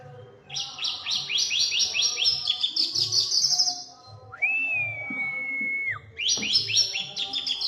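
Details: Oriental magpie-robin from Indonesia singing vigorously: fast runs of high chattering notes, then a long steady whistle held about two seconds, then more rapid trills, over low background thumping.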